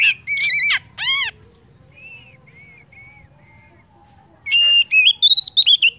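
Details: Oriental magpie-robin song intended to make other birds sing. It opens with harmonic-rich chattering notes and drooping whistles, goes quiet for a few seconds of soft, low whistles, then ends in a lively run of loud, rising whistles.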